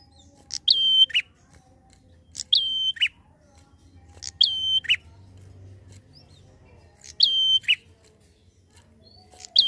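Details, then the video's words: Prinia giving fast 'ngalun' song to provoke untrained birds of its kind: five phrases about two seconds apart, each a bright attack, a level whistle and a lower falling note, over faint low rumble. "Prenjak Gacor ngalun cepat pancing emosi prenjak bahan"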